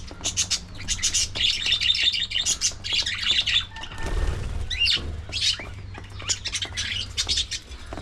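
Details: A busy flock of budgerigars at early morning feeding time, chattering in dense bursts of high, scratchy chirps and squeaks with brief pauses between them, over a faint low hum.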